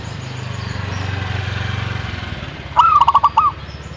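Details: Zebra dove giving a single loud cooing phrase near the end: a rising opening note, then a quick run of bubbling pulses and a final rolled coo. A steady low mechanical hum fills the first part.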